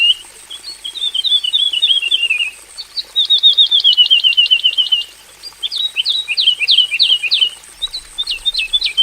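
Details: Aviary-kept Javan bush lark pours out varied phrases: a falling run of twittering notes, a dense steady rattle of short ticks, then sharp upswept chirps in groups, typical of its 'full isian' fill-in style.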